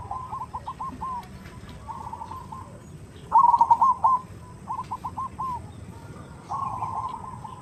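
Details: Zebra dove (perkutut) lure call, a female calling to the male: short bursts of rolling, stuttered coos about a second apart, one louder burst mid-way, over steady background hiss.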